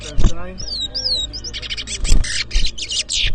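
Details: Chestnut-bellied seed finch, called towa towa, competing in a 2023 whistling contest in Edinburgh Village, Guyana; two looping, wavering whistles, then a run of harsh buzzy chatter, with people talking nearby.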